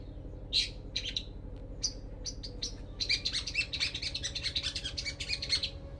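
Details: Long-tailed shrike song used as training material: scattered sharp high chirps and harsh notes, then a dense run of rapid chattering, scratchy phrases over a steady low mechanical hum.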